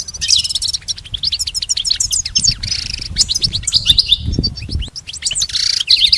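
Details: Training recording of goldfinch song: busy high twitters, rattly repeated-note trills and a buzzy phrase, with a low rumble in the background.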